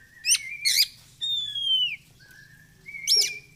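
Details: Oriental magpie-robin (kacer) singing in an energetic style used to train other kept birds: short buzzy bursts, then a long clear whistle sliding downward, a pause, and another sharp burst with a held whistle.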